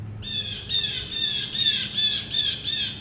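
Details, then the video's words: Loud blue jay calling before it grabs a peanut and leaves: a fast run of about six harsh, downward-arching squawks, roughly two each second, close and dominant. "Noisest Blue Jay Before Eating a Peanut Ever"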